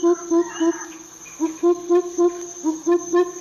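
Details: Greater coucal giving deep, hollow hooting notes in quick runs of about four per second, broken by a short pause, with a steady thin high whine behind.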